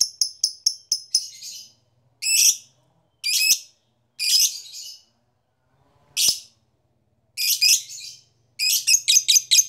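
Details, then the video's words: Lovebird chattering used as a lure to stimulate other lovebirds to sing: bursts of sharp, high clicking notes in quick series, with harsh noisy chatter phrases separated by short silences. "PANCINGAN LOVEBIRD AMPUH..!!ngetik koek ngekek bikin lovebird gairah bunyi"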